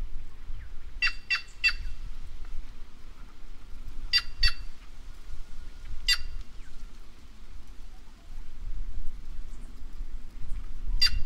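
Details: White-naped jay, a corvid of Brazil's caatinga, giving loud, harsh, rasping calls in pairs and triplets near the start, then single calls at about four, six and eleven seconds, over a steady low rumble.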